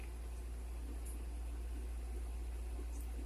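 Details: Steady low electrical hum fills a small indoor room, with faint soft background noise and no animal voice.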